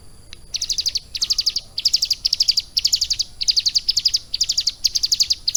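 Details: Caged ciblek gunung prinia, kept and tutored for about three months, singing energetically with lovebird-style phrases: high, buzzy bursts of rapid notes, each lasting about half a second and repeated with short gaps.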